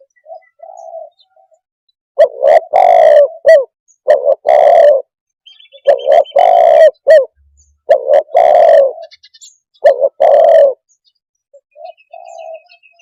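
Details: Spotted dove cooing steadily in about four phrases of short, rough coos and longer drawn-out notes, with soft whistled notes at the start and end and faint high chirping in the background.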